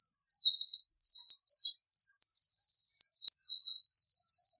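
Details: Eurasian wren song running almost without pause: high, piercing note clusters, a short buzzy held tone and rapid rattling trills, loud and clear.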